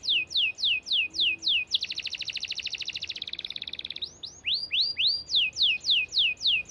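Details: Long, clear canary song for training other canaries. Evenly spaced falling sweeps lead into a dense rapid roll of buzzy trilled notes, then return to quick arched whistled sweeps at a fast, steady pace.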